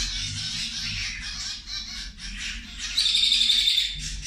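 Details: Group of zebra finches at lunch, rapid nasal chips repeated about four per second, then a louder, clearer thin whistled note joins for the last second.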